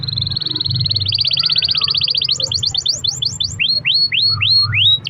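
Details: Canary song used as a lure to prompt other canaries to sing: a long rapid trill around the upper-middle range, then a faster higher trill, then repeated sweeping downslurred notes, over low background hum.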